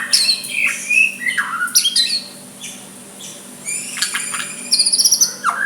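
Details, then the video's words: White-rumped shama giving a soft song meant to provoke a rival into replying: varied whistled notes, sharp downward sweeps and brief buzzy trills in loose phrases, with quiet pauses between bursts. "Murai batu suara lembut cocok untuk MEMEKAT lawan ikut emosi dan saling balas"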